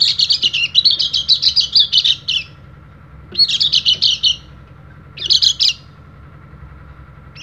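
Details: Oriental white-eye from Bali, calling rivals as a trainer for reluctant birds, producing a long run of fast buzzy chirps, then two shorter bursts separated by pauses of about a second.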